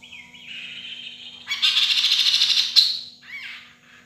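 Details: Songbird of the Kaso-kaso, Kidangan or Tepus glagah kind in energetic song for training other birds; a rising whistle, then a loud, fast, buzzy trill held for over a second, ending in a short chirp, with a faint low hum.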